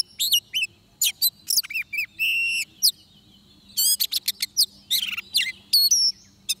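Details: Oriental magpie-robin singing at a trapping site: whistled slurs, a drawn-out buzzy note and chattering clusters, with a quiet gap before rapid whistled phrases return. A faint low hum runs throughout.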